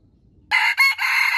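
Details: Wild junglefowl decoy fighting in a trap: a sudden loud crow after half a second of silence, two short harsh notes leading into a sustained raspy tone.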